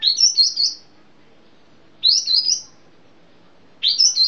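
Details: Sumatran sooty-headed bulbul in 'piai' style: three bubbly, high phrases of quick slurred notes, each under a second long, repeated about every two seconds over quiet background.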